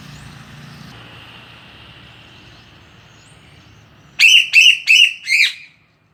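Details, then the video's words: Bird singing loudly for a training recording: four loud, evenly spaced harsh buzzy notes after a stretch of faint steady hiss and a low hum. "Burung Sule bagus buat masteran suara keras/gacor"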